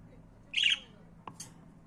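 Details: Budgerigar uttering one short, rasping squawk, followed by a brief click and a thin high chirp.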